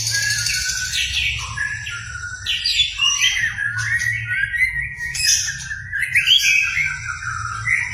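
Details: White-rumped shama singing hard, showing off its repertoire to get a quiet shama singing; dense, rapid mix of whistles, chatters and rasping squawks, continuous throughout, with low hum in the background.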